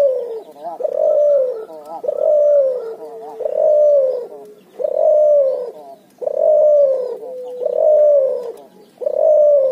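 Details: Prolific ngoar nguku cooing from a cuhu, a hybrid of barbary dove and spotted dove: a steady series of loud, rounded, slightly falling coos, about forty-three per minute, with brief quiet breaths between.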